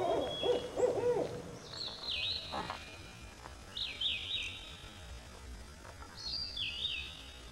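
A barred owl gives a short run of deep, wavering hoots at the start, then falls silent while another bird repeats a thin, high whistle three times.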